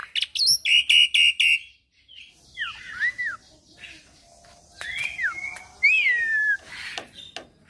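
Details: Young Javan pied starling, a caged bird, in full varied song: a run of four harsh buzzy notes, then gaps and scattered rising and falling whistles and squeaky slurred phrases at moderate volume.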